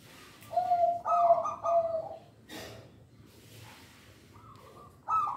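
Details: Local zebra dove singing, used as a lure for training young birds: three soft, resonant cooing notes in quick succession with a brighter, higher burst, a pause, then a brief higher coo at the end. Quiet background.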